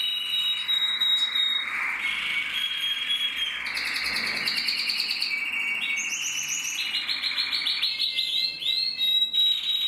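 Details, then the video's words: Singing male canary from a breeding aviary: continuous high song of rapid rolling trills, each held a second or two before switching to a new pitch, with clear whistled notes between, over steady hiss. "Kanarienvogel singt"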